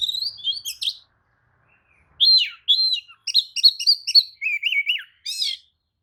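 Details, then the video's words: White-rumped shama lure song meant to make other shamas answer and spread their tails: clear whistled phrases, a pause, then rapid varied notes, rising and falling slurs and a buzzy trill at the end. "kacer manapun jelas nyaut oleh kicau pancingan kacer buka ekor! kacer dijamin emosi"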